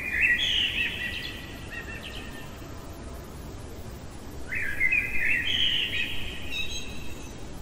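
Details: Common blackbird singing in the heart of the night: two fluty, warbled phrases about four seconds apart, each mid-pitched with a brief higher squeaky ending, over a steady low background hiss.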